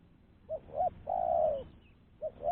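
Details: Clean spotted dove call used for luring other doves: a soft short hoot and a second hoot, then a drawn-out low coo sliding slightly downward, followed by two more short hoots opening the next phrase.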